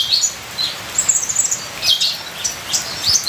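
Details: Ninja sunbird singing a full, varied song, used as a training recording: rapid high thin chirps and short twittering slurs, some rising and falling, in quick bursts over a steady hiss of rain.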